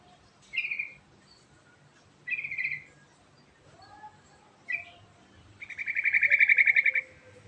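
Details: Trucukan bulbul singing a rich rolling 'ngerol' song: three short bright chirped phrases about two seconds apart, then a long fast trill of evenly repeated notes lasting over a second.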